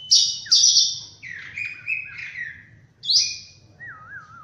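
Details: Oriental magpie-robin in morning song: two loud high sweet notes, then a string of lower slurred whistles, another bright note, and a soft wavering whistle at the end.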